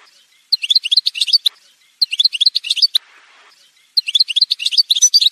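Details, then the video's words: Algerian goldfinch, edited song montage: three quick, rhythmic twittering phrases of bright, high ringing notes, each about a second long, with a soft rustle in one of the gaps. "chant chardonneret montage"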